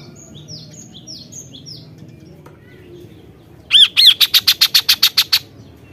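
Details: Kaso-kaso singing energetically: faint high descending chirps at first, then a loud, rapid series of about eleven harsh, evenly repeated notes.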